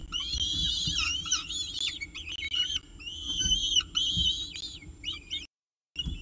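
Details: Peregrine falcon on its CSU Orange nest with breakfast, 19 October 2018; dense, rapid wavering whines with many harmonics, nearly continuous, then a short silence; background hum throughout.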